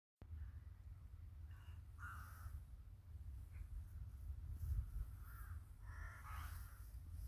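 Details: Crows calling in a village during winter: a few harsh, short cawing bursts around two and six seconds, faint over a steady low wind-like rumble that dominates the recording.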